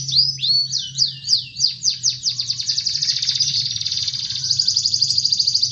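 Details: Canary in continuous song, used to provoke canaries that only chirp: spaced falling whistles speeding into a fast rolling trill, then a long buzzy sustained rattle, over low steady hum.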